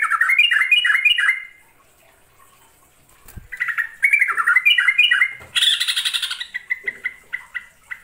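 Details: Yellow-vented bulbul (trucukan) sings in the ngekek, nggaruda and ngerol styles: bubbly, gurgling phrases, then a harsh rasping burst and a run of short, quick repeated notes.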